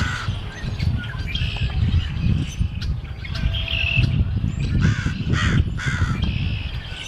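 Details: A crow calls in the late afternoon of Good Friday 2010, once the sky had cleared after heavy rain and wind. Scattered harsh caws grow more frequent toward the end over a constant low wind rumble.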